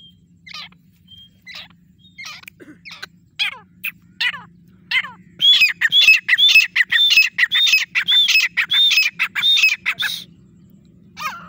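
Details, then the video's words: Grey francolin pair calling: scattered harsh grating notes, then a loud fast run of ringing, high repeated phrases about twice a second for five seconds, ending with a single rasping note over a low hum. "desi teetar ki awaaz grey francoline voice"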